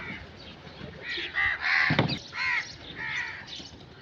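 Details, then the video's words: Repeated rough crow caws, a rapid string of about five harsh notes with a sharp click near the middle, against a low background rumble. "Crow sound effects"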